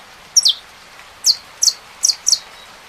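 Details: Saffron finch with rain in the background: five crisp, high chip notes, each a quick upper note dropping into a falling slur, spaced irregularly over continuous soft hiss.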